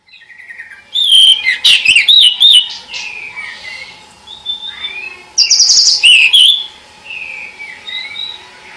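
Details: Pied bush chat song: two loud bursts of rapid varied whistles and chirps with sharp rising and falling notes, separated by quieter warbled phrases.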